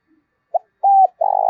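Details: Caged decoy spotted dove, kept for its quick response and earthy voice, gives a brief lead note, a steady drawn-out coo, then a pulsing rolled coo cut off at the end.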